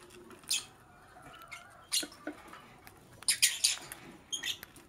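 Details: Morning chirping from a lovebird, with sharp, shrill chirps at intervals and a quick cluster of harsh squeaky notes late on over a faint rustling background.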